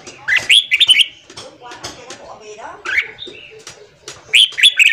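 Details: Red-whiskered bulbul morning song, for training newly caught wild birds. Rich whistled phrases rise and fall at the start and end, with a busy middle of lower warbling and chirping.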